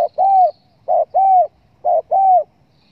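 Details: Spotted dove cooing for use as a lure to attract birds when hunting: three rhythmic pairs of a clipped note and a longer mellow coo, evenly spaced, in clear quiet conditions.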